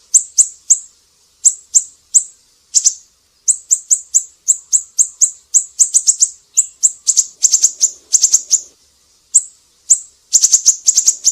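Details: A siri-siri in energetic song, recorded for tutoring other songbirds. Steady streams of bright, very high chirps run at a quick pace, sometimes doubled, with dense bursts near the end and a faint low rumble midway.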